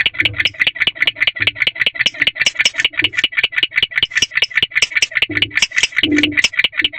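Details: Male barn owl chirping at a nest box at night, 1:22 am on 3 May 2023; rapid, scratchy chirps repeated about two and a half times per second, steady and insistent, with faint low thumps beneath.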